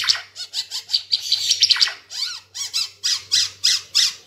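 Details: Ara Timor bird in full, lively song, recorded as a tutor for caged birds: rapid harsh, squeaky notes repeated about three times a second, mixing buzzy trills with short down-slurred whistles, low hum behind.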